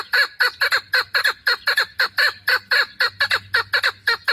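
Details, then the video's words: Steady, loud clucking series from a female chukar partridge kept for hunting, hoarse chuk notes repeated about four times a second throughout. "Модкабки шикори - Keklik - الحجل الطائر"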